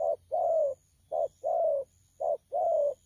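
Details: Young spotted dove, bổi, delivering thổ pha coos on 12 October 2019; three quick pairs of a brief hoot then a longer sliding coo, low-pitched and regular.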